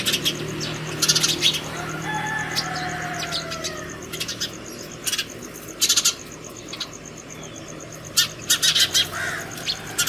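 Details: House sparrows at a hanging bottle feeder at home in the morning, calling other sparrows to food: scattered bursts of sharp chirps and brief flutter-like noise over a steady low hum and background drone.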